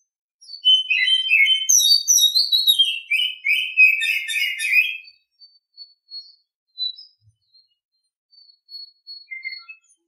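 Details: Oriental Magpie-Robin singing in the morning: a rich, varied run of clear whistled and chattering phrases for about five seconds, then sparse, faint high single notes with pauses.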